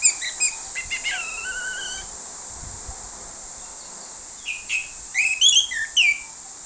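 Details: Lure song of an orange-headed thrush meant to draw in others. It opens with quick high notes and a sustained wavering whistle, then after a pause breaks into a burst of sharp, varied chirps and slurred notes.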